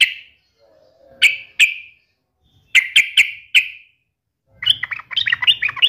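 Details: Yellow-vented bulbul taunting an opponent: loud, clear, separate whistled notes sliding slightly downward, given singly and in a quick run of four, then a short, jumbled, bubbly warble.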